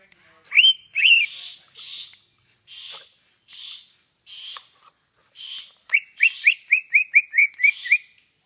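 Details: Greater green leafbird singing ngentrok style as a model for training other birds: two sharp upslurs, softer breathy notes at even intervals, then a rapid run of about nine clipped whistles.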